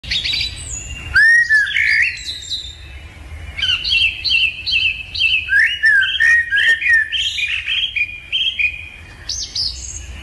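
A budgerigar chatters in a rapid run of warbled chirps, clicks and squeaky whistles.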